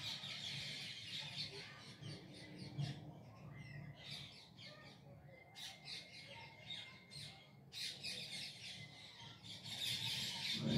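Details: Evening parrot chorus in Bangalore city, India: rapid, rasping squawks from several birds in short irregular bursts, some with brief thin whistled streaks, over steady low urban rumble.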